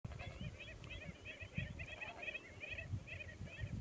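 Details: Andean flamingos in the Atacama Desert: a flock chorus of rapid, nasal, chattering honks, overlapping calls repeated several times a second, over a low rumble of wind.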